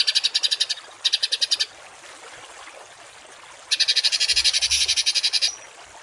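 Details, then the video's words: Songbird 'tembakan kasar' shots for schooling caged birds; two short bursts of fast grating pulses, a quiet gap of about two seconds, then a longer harsh rattling run, with a faint low rumble. "MASTERAN BURUNG TEMBAKAN KASAR || Suara Masteran kasar langganan juara"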